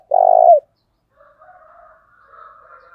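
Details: Decoy spotted dove with a thổ đồng voice, in the thúc bổi calling style: one loud, buzzy, sustained coo ending in a slight downturn. Faint, softer cooing follows.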